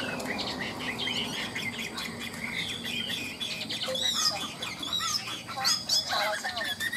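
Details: Hwamei in a cage, ngũ trường song type delivered high and forceful: sweeping upslurred whistles and choppy chatter over a grainy background hiss, with loud swooping notes after four seconds.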